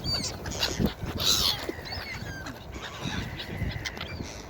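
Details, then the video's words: Several seagulls on a beach give overlapping, high, ringing calls, one loud cluster followed by thinner repeated cries. Waves roar steadily in the background. "Seagull Beach Sound Effect"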